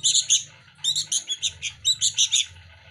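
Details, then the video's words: Begging chicks of the sooty-headed bulbul, fed by hand, give a quick series of evenly spaced shrill chirps, about six a second, after a brief pause. "Anak burung Kutilang lokal asli gacor rebutan makan lolohan setiap Hari"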